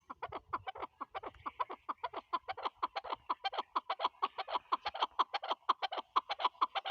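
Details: Chukar partridge, Pakistan's national bird, giving a long run of rapid, throaty clucking notes, about two per second, steady and gradually louder toward the end, with no other sounds of note.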